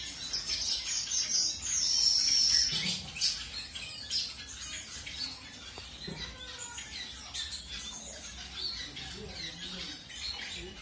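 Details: Zebra finch of a colour mutation, just paired with a new partner: a bright, high, rapidly repeated trill in the opening seconds, then sparser chirps and clicks over faint low rumble.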